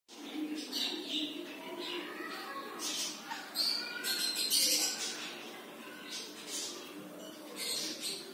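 Red-collared lorikeets give harsh, grating screeches in quick, uneven bursts, high and buzzy, with voices murmuring in the background.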